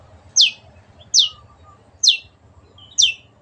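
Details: Long-tailed shrike, a kept songbird recorded as a clear training song: four steep, sharp downward notes at roughly one-second intervals, with a faint low hum underneath.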